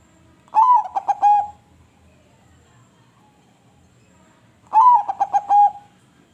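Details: Crossbred perkutut, a zebra dove kept for its sweet voice in Indonesia, repeating its cooing song twice about four seconds apart: a rising-then-falling opening coo, several quick bubbling notes and a lingering final tone in a quiet setting.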